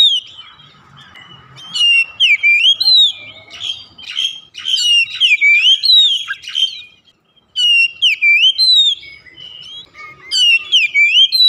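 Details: Kacer, the oriental magpie-robin, singing to trigger song in a home-kept bird: long stretches of varied whistles, swoops and sharp descending chips, a brief silence near the middle, then the phrases resume.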